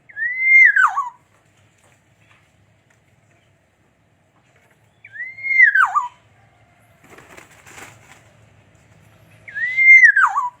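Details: Black-naped oriole sings a mellow whistled phrase three times, about every five seconds. Each phrase swoops up and then falls in a liquid slur. Soft rustling and scratchy noise fill the gap before the third phrase.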